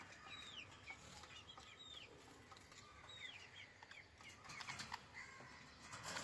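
Budgerigars chatter with quick whistled chirps and short rising and falling sweeps, amid bursts of wing flutter.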